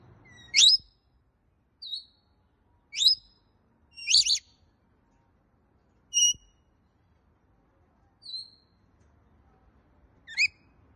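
A rainbow lorikeet gives short, harsh, high-pitched screeches and chirps, spaced a second or two apart, against a quiet background.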